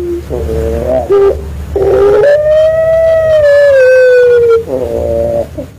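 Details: Puter pelung dove with a wolf-like voice, used to lure other doves: short throaty coos swell into a long, smooth howling note that slowly falls over about two seconds, then rolling coos again, over a low background hum.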